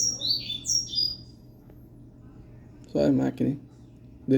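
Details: Double-collared Seedeater kept as a pet, opening with a quick pair of high chirped song phrases. A person then speaks a few words over a low room hum.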